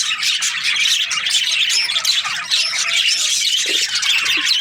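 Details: Budgerigars kept as breeding pairs produce an unbroken wall of shrill twittering and harsh squawks, dense and evenly loud from start to finish.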